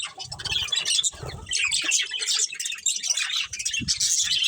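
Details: Colony of budgerigars including a breeding pair, giving busy high chirps and grating warbles in overlapping bursts, with low muffled thuds and possible wing flutters.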